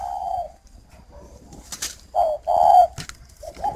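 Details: Spotted dove kept for breeding in northern Vietnam's Ba Vì district, cooing to a hen: a soft trailing coo, rustling and faint noises, then a short note and a longer rich coo, with a brief coo closing.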